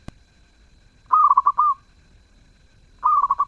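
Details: A lively zebra dove gives two phrases of its melodious song. Each phrase is a brisk run of short, rounded cooing notes closing on a sustained coo, with a sharp tap at the very start.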